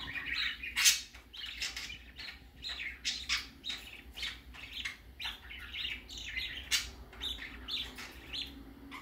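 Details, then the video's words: First time out for a baby budgerigar: a loud squawk at the start, then a long series of short, scratchy chirps repeated at a fast, irregular pace. "Baby parakeet first time go out"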